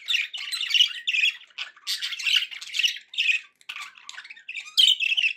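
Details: Pet budgerigars sounding happy, loud grating squawks and chattering warble phrases delivered in rapid bursts.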